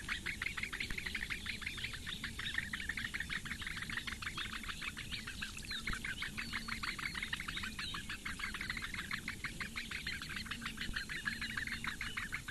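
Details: Eurasian bittern nest in Latvia's Lake Engure reedbeds, morning of 15 May 2017: four young chicks beg as the female feeds them. A long, unbroken run of quick, scratchy chirps at a steady fast tempo.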